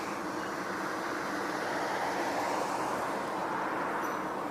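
Continuous broadband rushing noise, like a vehicle or train in motion, with no animal calls.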